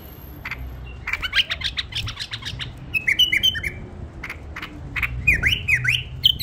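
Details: Tame bulbul singing: short whistled and chirping notes, several falling slurs, repeated in quick irregular bursts, with sharp clicks and rattles between phrases over a low background hum.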